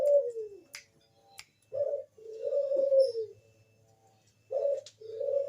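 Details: Bangkok-type zebra dove giving a lure song to set other doves singing. Low, soft coos drift downward, with a short pause, then two more mellow coos. Faint clicking sounds occur near the start.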